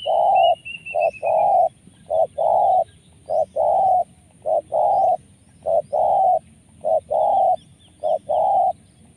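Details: Spotted dove used for bird luring, a voice of the 'penguasa makam' style said to be rich in rolling rrr sounds: about twelve deep, hoarse cooing notes at a steady pace, some closely paired, with a faint high whistle at the start.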